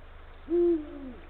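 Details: Late-afternoon hoot from a male Eurasian eagle-owl calling his mate from near the nest on 17 February 2023: one low, resonant note, steady at first and then easing downward as it fades out.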